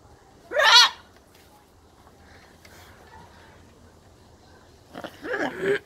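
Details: Pet blue-and-yellow macaw talking, laughing and playing: a harsh, nasal, speech-like burst, then after a quiet pause a longer raspy run of babbling and laughter-like sounds, mimicked speech.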